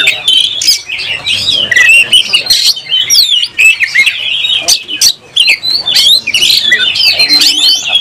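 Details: Oriental magpie-robin in full song while fighting, tail spread, highly aroused: a dense, nonstop stream of varied whistles, sharp chirps and buzzy notes, rich and mostly high-pitched, with short breaks for breath.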